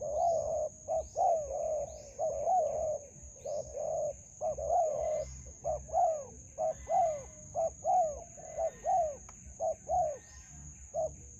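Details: Spotted dove calling in a melaleuca grove where a decoy is used to trap wild doves: a long run of mellow, low coos in paired short-and-long phrases, roughly one per second, with faint chirps from other birds and a steady high whine behind.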